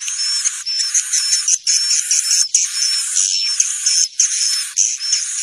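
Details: Swiftlet sounds for luring the birds to roost indoors: continuous dense buzzing chatter with short high chirp-like notes scattered through it, interrupted only by a few brief dips.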